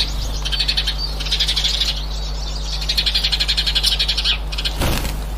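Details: Eurasian siskin, recorded 18 March 2024, giving rapid high twittering in several bursts of quick pulsed notes. There is a constant low hum throughout and a sharp click near the end.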